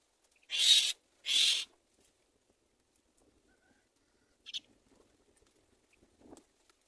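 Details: Baby mynas in a nest waiting to be fed by their mother give two loud harsh hissing rasps, then a short quiet stretch with a brief softer rasp and a faint click.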